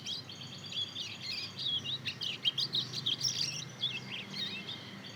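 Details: Mozken youngster, two months old, a Mozambique canary and canary cross, rehearses its developing song as a continuous, rambling twitter of high chirps and quick warbled notes.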